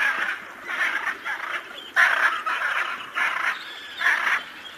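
A hyacinth macaw gives harsh, grating squawks, about six loud bursts in under five seconds, each roughly half a second long.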